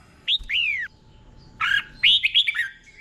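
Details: Caged red-whiskered bulbul tutor song in the doubled 'boen' style: two drawn-out downslurred whistles, a gap, then a rapid chattering run of warbled notes.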